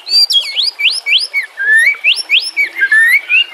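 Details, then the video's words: Captive-training song of the White-rumped shama: loud, clear whistled notes, mostly rising upsweeps repeated about three times a second, with a few longer rising slurs between them. "pancingan murai batu TERBARU FULL ISIAN KOMBINASI"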